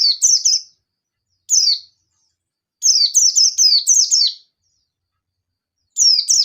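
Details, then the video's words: Local yellow-throated Oriental white-eye from the wild, excited and challenging a rival: high, sharp chirps falling in pitch, given singly or in fast runs of up to seven, with irregular gaps of one to two seconds. "Pleci Ngalas Nembak Memanggil Lawan || Suara Burung Pleci Gacor Ngalas Nembak emosi"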